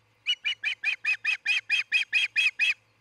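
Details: Osprey at its nest in Charlo, Montana, one of a pair building a new nest, recorded by nest camera early morning on June 26, 2018: a steady run of about thirteen harsh, high chirping notes, roughly five per second.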